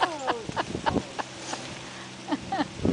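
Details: A Downy woodpecker drills a tree hole at Middlefork Savanna, Lake Forest, Illinois, on 17 October 2009, with sharp, irregular taps several a second in bursts, while people talk quietly close by.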